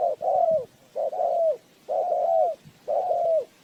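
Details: Lure spotted dove used in trapping gives four loud drawn-out coos, each a short lead-in running into a longer note that curves down at the end.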